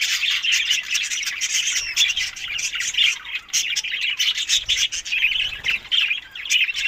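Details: Loud, unbroken budgerigar chatter in Larkana, Sindh, as birds eat summer food in May to June; overlapping harsh chirps, warbles and squawks pour out steadily.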